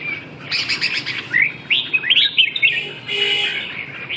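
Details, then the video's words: Red-whiskered bulbul singing a loud run of quick, liquid, warbled phrases, clustered short notes sliding up and down, with a brief pause near the end before a fainter note. "chim Chào mào"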